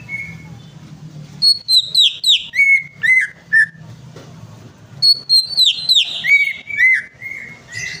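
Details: Greater green leafbird singing as a lure for a silent bird: two bursts of rapid whistled notes that cascade from high sharp chips down to lower slurred whistles. A long steady whistle ends each phrase, with soft low hum behind.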